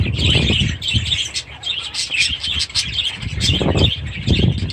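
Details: Short stretch of aviary budgerigar chatter with chicks present: rapid overlapping chirps and trills from several birds over intermittent low fluttering and knocks.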